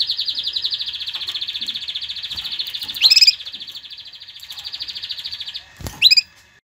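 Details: Canary song meant to stir hens toward mating: a sustained high buzzy trill for several seconds, broken by sharp rising upswept notes and a short pause, then another quick upsweep.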